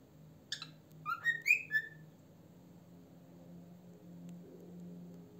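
A cockatiel gives a quick run of four or five bright, whistled chirps that rise and fall over about a second and a half, followed by a steady low hum.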